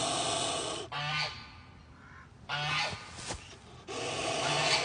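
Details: A broody female goose protecting her babies hisses in three harsh, breathy bursts about a second long, with short quiet gaps between them.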